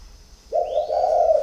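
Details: Spotted dove whose coo is described as 'thổ khách có vấp', from a Ba Vì dove garden: a low, rich coo that catches and breaks briefly before running on, with a faint rising whistle above.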